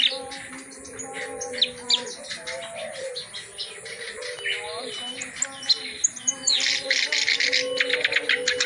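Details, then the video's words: Reed warbler in full-repertoire song used as a tutor for reluctant singers: rambling scratchy notes and chatter, swelling into a loud harsh burst near the end, over constant low tones and faint voices. "KICAU BURUNG KERAK BASI GACOR ISIAN FULL MATERI"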